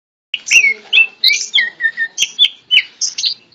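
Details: Tame greater green leafbird singing while held in the hand: a rapid run of short whistled and chirping notes, bright slurred phrases about five per second, sliding down and up.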